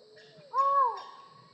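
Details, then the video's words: One strong, moaning note from a collared forest falcon that rises gently and dips at the close, with a fainter sliding bird note just before it. "Falcon Call Video: Collared Forest Falcon Bird Sound"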